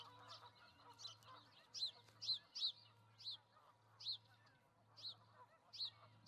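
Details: Osprey pair at their nest with two eggs in Charlo, Montana, 08/05/2019: a long run of sharp, high whistled chirps, each rising then falling, given about twice a second, over a steady low hum.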